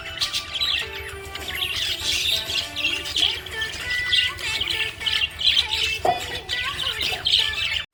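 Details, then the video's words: Happy budgerigar chirping: rapid bright chirps and squawky twitters repeated about twice a second, with steady musical tones playing underneath throughout. "Happy budgie chirping sound"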